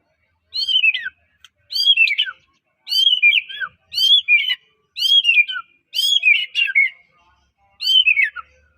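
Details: White-rumped shama from Medan singing loudly, its song meant to stir other shamas to sing: seven ringing whistled phrases roughly every second, each a rising-falling slur with a downward tail.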